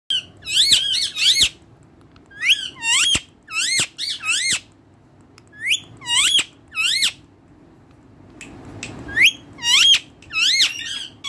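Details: Caged parrots, described as talking like humans: bursts of sharp, looping chirps and short squawks, often paired, coming roughly every second with brief pauses. A quiet indoor hum sits underneath, and no clear human-like words come through.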